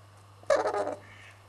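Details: Red-crowned crane (Grus japonensis) kept at a conservation centre in Norfolk, UK, giving one loud, harsh, broad honking call lasting about half a second, with a constant low hum in the background.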